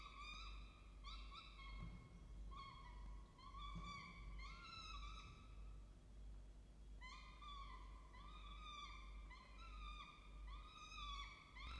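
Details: A peregrine falcon at a nest box camera gives harsh, slightly rising whining notes in quick runs, pausing briefly midway, over a steady low hum.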